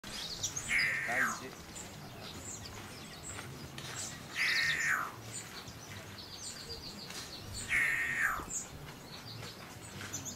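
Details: Tropical boubou (Grand Gonolek, Laniarius major) at Gisenyi, Rwanda, in March 2013: three harsh, grating, slightly falling calls about every three and a half seconds, over steady background hiss and faint high chirps.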